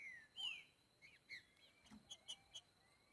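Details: Green-winged saltator in nature giving a boiadeiro-type song: a strong falling whistle, then shorter slurred notes and a few quick chips, under a steady faint high-pitched hum.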